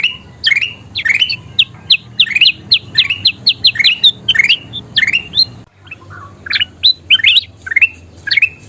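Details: Kutilang emas bulbul singing energetically, used as a master recording to train songbirds: fast runs of sharp chirped notes sweeping up and down, densely repeated, with a short pause near the middle before the chatter resumes.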